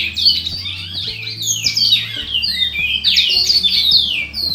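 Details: A captive-bred Great-billed seed finch from a breeding farm pours out a loud, nearly continuous run of sweet whistled slurs and quick warbled notes, high and clear, over a faint low hum.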